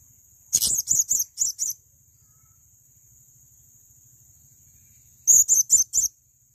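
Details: Male blue-crowned hanging parrot giving two bursts of four or five thin, very high chirps, several seconds apart, over a faint low murmur.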